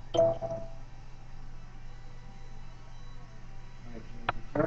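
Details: Indoor recording with a steady low electrical hum, a few brief knocks and voice-like bursts, and no animal sounds.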